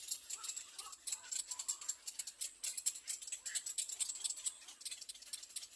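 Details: Little egret chicks at a nest beg for food with a fast, dry, high rattle of clicking notes that runs without a break, with a few harsher rasps beneath.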